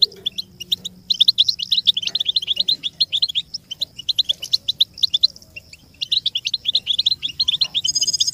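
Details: American goldfinch song on a tape for teaching chicks and songbirds, made of bursts of fast, bubbly twittering separated by brief pauses, with a faint steady high whine near the end.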